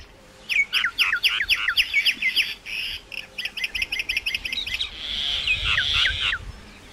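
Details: Common myna song: rapid series of sharp descending chirps and clicks, about a dozen in quick succession, followed by a harsh buzzy rasping phrase with a few falling notes at the end.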